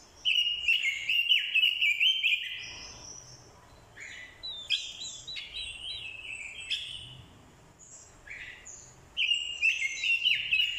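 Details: Decoy orange-headed thrush giving fighting song, with a female's call used to stir the male: loud rich warbled phrases, high and varied, in bursts of about two seconds separated by quieter, shorter notes.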